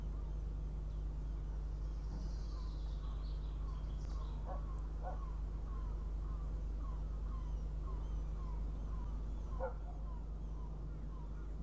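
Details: Northern goshawk hawklet arriving at its nest for breakfast near Riga, Latvia, on a live nest camera at 06:14 on 23 June 2017; a long series of thin, downslurred calls about every half second over a steady low hum.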